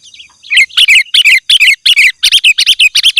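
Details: Sooty-headed bulbul in vigorous song, used as a lure and training recording for other birds: loud, bright chirping phrases of several quick notes, repeated about ten times in rapid succession with brief gaps.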